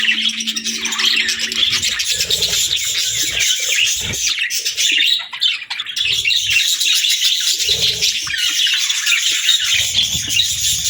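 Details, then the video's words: Budgerigar chatter: nonstop high, scratchy warbling and twittering throughout, softening briefly around the midpoint before resuming. "Budgie Chirping Sounds"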